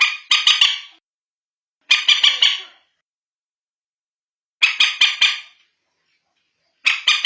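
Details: Bantiung or common moorhen, heard in a night-time luring call: four loud, grating bursts of three to four clipped notes each, separated by pauses of one to two seconds.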